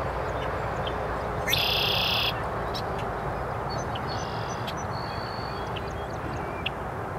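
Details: Red-winged blackbird (Agelaius phoeniceus), call.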